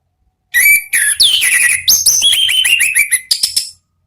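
Orange-headed thrush singing a rich, fast run of loud whistles, mostly high downslurred notes with a few sharp chips, lasting about three seconds.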